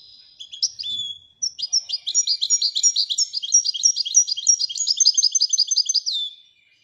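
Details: Long Widaniya-style performance by a Moroccan European goldfinch: a few opening chirps, then an unbroken cascade of rapid, tinkling, rhythmic high notes lasting several seconds.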